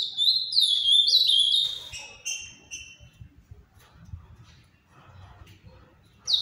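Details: Ultramarine grosbeak singing the Paraná-style song, held to be Brazil's most beautiful: a fast phrase of clear, high whistled notes sliding downward in quick steps, lasting under two seconds, followed by near silence with faint low rumbling.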